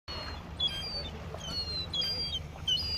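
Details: Young seagull, described as noisy, at the harbour in Mevagissey, Cornwall, on the coast; thin, high whistled squeals come faintly and unevenly across three seconds over a steady low hum of harbour background.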